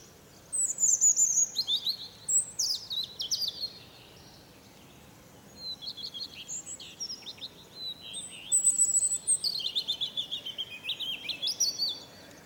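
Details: A European robin sings its morning song from a fir tree: high, thin, wistful phrases of trills and sliding notes, each lasting a second or two and separated by short pauses.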